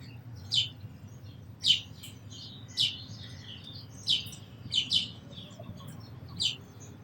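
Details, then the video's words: Sparrow uttering scattered single and doubled chirps, short and high-pitched, spaced irregularly with quiet gaps between them. "Very Beautiful Birds & Sparrows Sounds"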